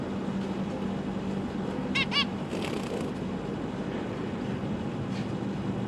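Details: Zebra finches, parents with three juveniles and three fresh fledglings, December 2022 at feeding time: a quick pair of nasal, buzzy honks near the middle, otherwise a quiet room with a steady low hum.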